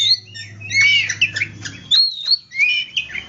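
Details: Song of a white-rumped shama meant to stimulate quiet shamas to sing: harsh scratchy bursts give way to clear rising and falling whistles, over a steady low hum.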